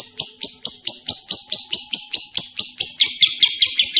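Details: Lovebird in full voice delivering a long ngekek chatter: sharp, harsh chirps repeated at a steady pace of a little over two per second for four seconds, growing denser and buzzier toward the end.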